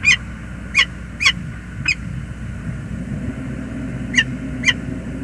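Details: Morning arrival calls of a male peregrine falcon at the James River Bridge, USA, November 2021: four loud harsh notes, a pause of about two seconds, then two more, over low traffic-like rumble.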